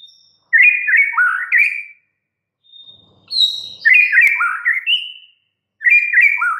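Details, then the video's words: White-rumped shama kept as a cage bird, singing rich whistled phrases that slur up and down, delivered in bursts of about a second and a half separated by short silences, with a thin high whistle between bursts. "murai batu BISU, STRES, MACET TOTAL bakalan NYAUT GACOR dan Kembali FIGHTER"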